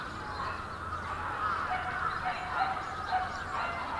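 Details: A large brambling flock in winter at Yoyogi Park, February 2019, producing a steady, crowded stream of short overlapping calls with small rising and falling notes picked out from the mass.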